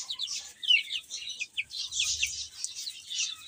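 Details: Baby chickens eating and playing, a short burst of rapid high peeps from several chicks, falling slurred notes overlapping, with a low rumble midway.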